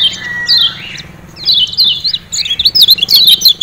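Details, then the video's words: Lemon-bellied white-eye from Lombok (kecial kuning) calling 'ciak ciak' to stir captive birds to sing: a falling chirp, a brief lull, then lively rapid high twittered notes. "Ciak Ciak Kecial Kuning Joss Ampuh Bikin Kecial Rajin Bunyi"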